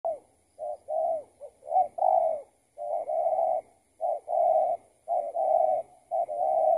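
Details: Spotted dove calling while being lured with a decoy during trapping; the target bird was a tethered trapping bird that had escaped. Deep hollow coos in repeated phrases, short clipped notes then longer rolling coos, about a second apart, with brief pauses.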